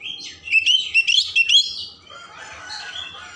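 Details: Oriental magpie-robin song used to stimulate emotion and tail opening, a rapid run of bright twisting whistles followed by a softer scratchy warble.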